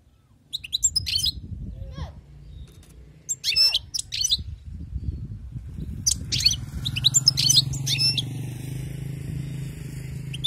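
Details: European goldfinch, wild-caught, singing scattered twittering and tinkling phrases while low rumbling background noise grows louder toward the end.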